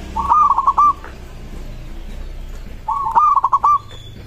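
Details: Local zebra dove song that other doves are said to answer right away: two clear phrases of rapid stuttering coos, about three seconds apart.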